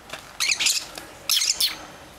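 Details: Baby lovebirds from a pet pair's second brood, indoors: two bursts of harsh, raspy, high squeaky squawks, each under half a second, separated by a short pause.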